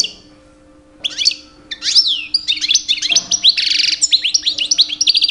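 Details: European goldfinch, two years old, in breeding-season song meant to attract females: a single high note, then rich tumbling twitters, a harsh buzzy burst, and quick repeated upslurred chips, with a steady background hum.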